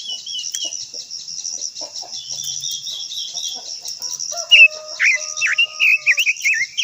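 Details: Japanese white-eye known as quế lâm singing its long-voiced provoking song: after quiet insect buzzing, a loud phrase of quick downward-swooping chirps and warbles fills the last two seconds.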